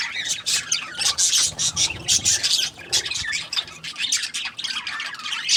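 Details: Budgerigar chirping in pulses: clusters of shrill scratchy squawks and short whistles rise and fall in loudness every second or so, over faint low background noise.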